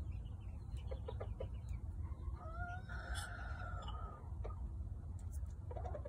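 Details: White Serama rooster, described as the world's smallest chicken breed, gives a drawn-out harmonic crow lasting about two seconds. It rises slightly, then holds steady, with scattered short clucks before and after and a constant low rumble underneath.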